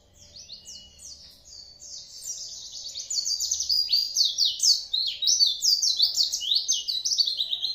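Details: Oriental white-eye, kept as a songbird, in a fast chattering song of jumbled high twittering notes that starts softly and grows louder and denser after a few seconds.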